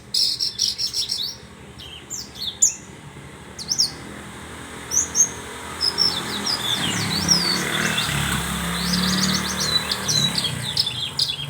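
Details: Horsfield's bush lark giving scattered high chirps and quick twittering phrases, strongest at the start, while a passing vehicle's broad roar swells in the second half.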